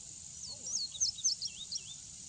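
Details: Male indigo bunting song: bright, high, doubled notes with downward and upward slurs, paced quickly, against a steady high insect drone and a faint lower warble.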